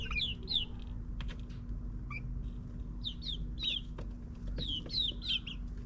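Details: Backyard chicks in their ninth week in a suburban setting, giving clear downward-sliding peeps in loose bursts, with a steady low hum and scattered clicks behind.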